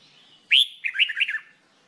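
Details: Red-whiskered bulbul during song training gives one cheerful phrase: a bright loud opening note, a brief pause, then a quick rippling string of five or six warbled notes falling away.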